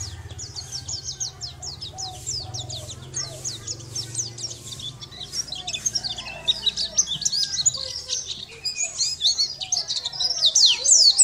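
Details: Sunda white-eye described as a champion bird, recorded as a training song for other songbirds: fast high twittering of short downward-sweeping notes, growing louder toward the end, over a low steady hum.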